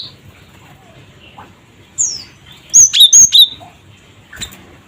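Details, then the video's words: Cinereous tit, known locally as gelatik batu, used as a lure: one thin falling whistle, then a tight run of three high, clipped two-tone notes, with a lone sharp note near the end. "Suara Burung Gelatik Batu Cret Cret Wucit"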